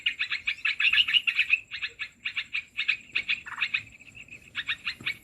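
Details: Lure sound for trapping olive-winged bulbul: fast repeated chattering, bubbly notes in quick runs with brief gaps, over a constant thin high background tone.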